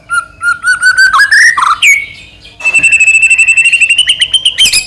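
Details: White-rumped shama singing to trigger another shama's song: a row of clear repeated whistles rising in pitch, a short pause, then a long, rapid, high, even trill.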